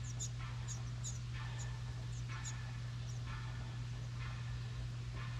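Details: Young house wrens fed at a recycled license-plate birdhouse in New England make short clusters of sharp, very high chips every half second or so, alongside faint rustles and a persistent low hum.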